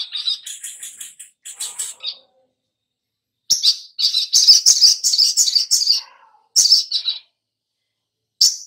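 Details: Little spiderhunter lure recording meant to get other birds singing: bursts of sharp, high chirps and rapid trills, dense runs between short pauses, ending with a lone chirp.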